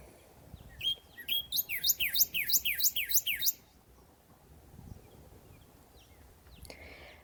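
A Northern Cardinal sings a rapid run of about a dozen loud, down-slurred whistles, three or four a second, then falls silent. A faint chip follows over quiet background hiss.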